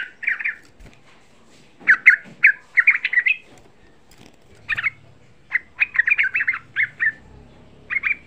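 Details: Yellow-vented bulbul, a young bird, giving a song used to excite other bulbuls into calling: scattered clusters of bubbly, slurred whistles separated by pauses, with a soft low hum near the end.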